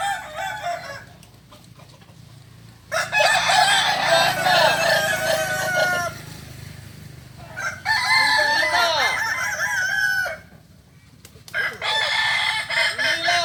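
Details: Kokok Balenggek roosters gathered for joint training at Ampang Kualo, Kota Solok; several loud bursts of multi-part crowing, each a few seconds long, separated by quieter gaps with distant crowing.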